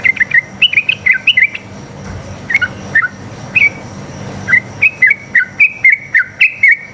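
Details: Sooty-headed bulbul (trucuk) singing a long one-line song used to make other trucuk answer; clear whistled notes, each a quick rise and drop, in rapid runs at the start and end with sparse notes between.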